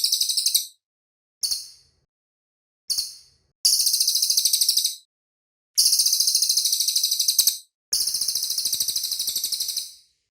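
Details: Cililin bird singing a clean, clear song used as master recording: very high buzzy trilled phrases of rapid notes, lasting from half a second to two seconds, separated by brief silences.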